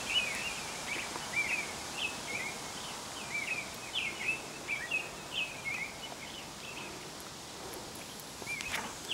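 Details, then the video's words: American robin singing its song, described as "tû-tu tûlulû"; steady stream of brief warbled, slurred whistles in quick succession over continuous outdoor background noise. "American robin singing. merle d'amérique en train de chanter"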